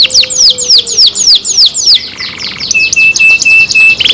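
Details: Canary kept at home singing a string of high falling whistles about four per second, shifting into a steady repeated piping note near the end.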